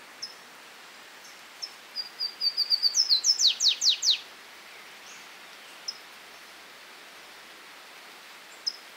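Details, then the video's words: A flavescent warbler in Esmeraldas, Minas Gerais, Brazil gives a quick run of high, thin notes that speed up into loud down-slurred chips over about two seconds, followed by a few soft scattered chips. "Canário do Mato"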